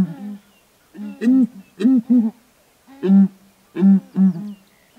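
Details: Southern ground hornbills duetting from a perch on a branch in Kruger National Park: deep, booming hoots, mostly in pairs, with a few single notes and short pauses between the groups.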